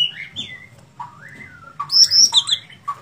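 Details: Sooty-headed bulbul, called a lively fighter, singing mellow gliding whistles that rise and fall. A brighter, higher chattering flourish follows near the end over a low background hum.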